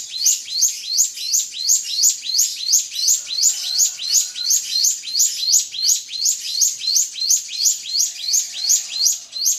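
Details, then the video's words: Steady drongo song meant to anger a rival bird, with high chirping phrases repeated rapidly, close to three per second, loud and regular throughout. "SRIGUNTING PANCING EMOSI LAWAN"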